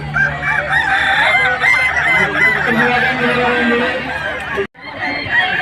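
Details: Competing Kukuak Balenggek roosters at the 2024 Walikota Cup in Padang give a long, wavering crow for about four seconds, with other crowing and people talking around them, then a brief cut and more crowing.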